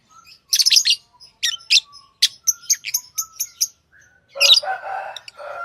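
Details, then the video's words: Lovebirds chirping: rapid series of sharp, high chirps and ticks, ending in a louder, harsh, broad squawking chatter. "Love birds Sounds | lovebirds chirping sounds| parrot beautiful sounds"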